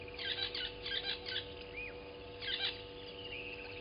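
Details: Southern masked weavers at a South African waterhole in Sabi Sand's Djuma Game Reserve, live camera, 07:30 on 12/06/20. Rapid, scratchy, buzzing chatter comes in three loud bursts, one slurred upward note between them, and low hum throughout.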